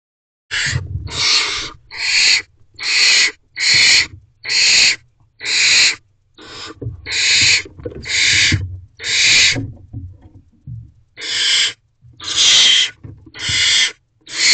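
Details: Barn owl owlet in a wild nest box on 3 May 2023 at 8:53 pm, excited after its father drops off food: harsh, hissing screeches of about half a second, repeated roughly once a second, with a brief pause midway and soft low thumps.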